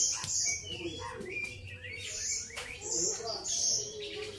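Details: High, thin chirps and piercing whistled notes mixed with lower slurred whistles from a grey-cheeked bulbul, delivered in irregular bursts with clicks in between.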